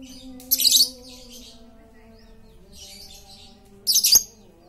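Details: A noisy lovebird serves as a lure for silent lovebirds. Two loud, shrill chatter bursts are separated by a soft, faint chattering stretch, with a low humming drone beneath.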